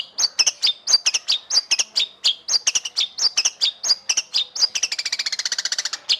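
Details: Murai batu (white-rumped shama) contest song: evenly paced, loud, downslurred notes repeat steadily, then speed up into a tight, fast chip trill near the end.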